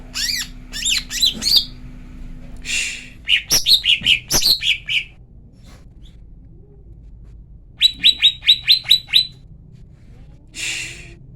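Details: Female lesser green leafbird call used to stir males to sing: rapid harmonic chirps, a rasping hiss, a burst of sharp falling notes, then seven quick downslurred chirps and another hiss.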